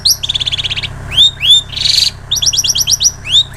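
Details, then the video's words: Long-tailed shrike song mimicking ciblek sawah and canary, used as training audio for songbirds: varied high phrases of rapid trills, rising whistled slurs and a dense buzzy burst, changing every half second. "Cendet Isian Ciblek Sawah Kenari"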